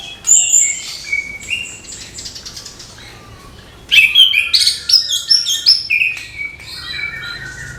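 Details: Morning song of an orange-headed thrush: a thin whistle and a few soft notes, then from the halfway point a rapid, varied stream of sharp whistled and chattering phrases.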